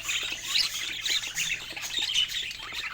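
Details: Pet budgerigars at play with new toys fill the air with busy, overlapping warbles and chirps, a steady high chatter without pauses.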